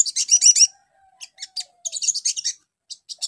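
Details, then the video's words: Brown-throated sunbird used as a lure song to get birds in training to answer quickly: bursts of high, thin, rapid chirps and trills, with short pauses between phrases and a faint low whistle in the background. "PANCINGAN SOGON BAHAN CEPAT NYAUT"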